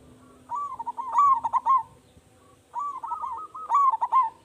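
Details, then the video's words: Zebra dove, local bird with a strong voice, singing as a lure that sets other zebra doves calling; two rapid rolling coo phrases of clustered stuttering notes, a quiet gap between them, faint low background hum. "Perkutut Lokal Gacor Suara Besar Pancingan Hanya 3 Detik Perkutut Lain Langsung Bunyi"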